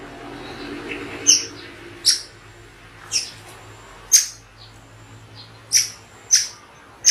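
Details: White-rumped shama song of sharp, spaced 'shot' notes: seven loud, high, clipped whistles, each falling sharply, sounded at irregular intervals of about half a second to one second over faint background hiss.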